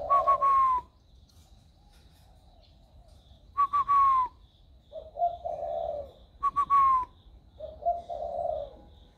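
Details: Young captive spotted dove, hand-raised and around a year old, newly cooing in a warm 'thổ' voice; brief falling whistles alternate with soft low hooting coo phrases at intervals of about three seconds.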